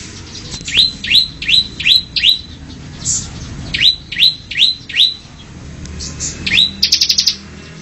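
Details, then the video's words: Bar-winged prinia, known as ciblek, semi-style master song for cage birds. Clear rising whistled upslurs come in runs of about five, repeated roughly every third of a second, ending in a brief fast trill. "Masteran burung ciblek semi"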